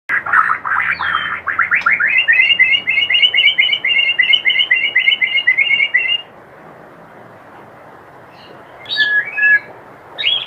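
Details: White-rumped shama kretekan used to provoke other shamas: a rapid chattering run of sharp, clicking notes about four per second for six seconds, then a pause over steady hiss and a few high whistled notes.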